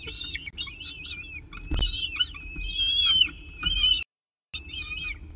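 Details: Peregrine falcon with a pigeon at its nest, CSU Orange, 7:59 am on 24 October 2018; wavering, harmonic wailing calls run almost unbroken, a brief knock midway, then a short dropout and more whining.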